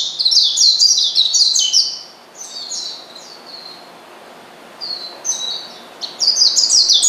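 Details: Oriental white-eye calling a rival to provoke it: rapid, shrill twittering at the start, softer single high notes in the middle, then another quick burst.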